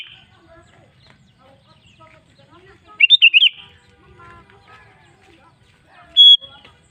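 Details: Lure song of a sooty-headed bulbul (kutilang) meant to make other bulbuls sing: a chirpy phrase of five quick rising-and-falling whistles midway, followed a few seconds later by one steady, clear high note.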